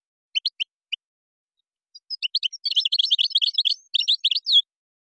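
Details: European goldfinch from Morocco, Moroccan song with gazarat and srrr bertbertiu phrases: a few separate high chirps, then a dense, rapid twittering run of tinkling notes ending in a slurred whistle.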